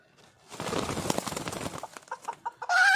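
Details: Wild red junglefowl hen calling for a male: a rough, noisy burst, then a few short clucked notes, ending in a loud harsh squawk.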